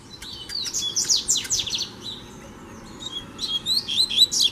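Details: Loud, close song of a free double-collared seedeater confronting a caged rival: fast descending buzzy sweeps and clicks, a brief quiet gap, then a renewed bright twittering phrase.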